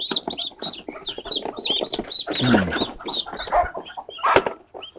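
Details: Pet ducklings being gathered into a basket give rapid, high, slightly downslurred peeps for the first two seconds. Bengali speech, rustling and a knock follow, with a few more peeps near the end.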